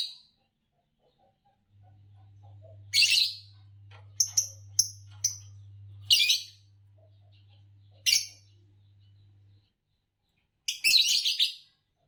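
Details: Green Fischer's lovebird gives shrill, harsh chirps in short bursts, some in quick pairs, spaced irregularly over several seconds above a low steady electrical hum.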